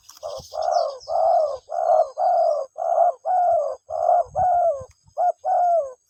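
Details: Spotted dove calling to its mate. Mellow, low coos are repeated steadily at roughly one per second, each even and sustained. A faint high whine runs in the background.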